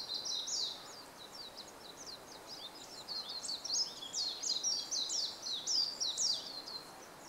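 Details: Warbling white-eye (Zosterops japonicus) singing atop a bamboo grove in Japan, 5 April 2014: a fast, high, tumbling warble of thin sweet notes, about two phrases a second, over a steady background hiss.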